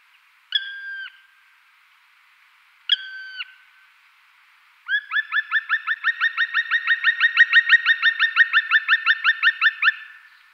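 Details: Black woodpecker giving two long, level, plaintive whistled notes a couple of seconds apart, then a fast rattling series of rising ringing notes that grows louder over five seconds before fading, quiet background.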